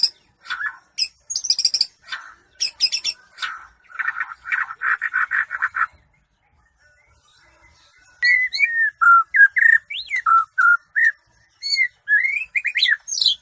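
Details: White-rumped shama, bahorok type, that reached a presidential cup competition; bursts of harsh rattling chatter in quick repeated groups, a pause, then clear slurred whistles dropping and rising in a varied, tumbling phrase.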